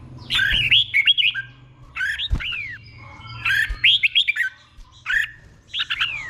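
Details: Red-whiskered bulbul cage bird performing the slow doubled 'boen' song for others to copy: four separate phrases of quick slurred whistles, several ending in a downward swoop, with pauses between them.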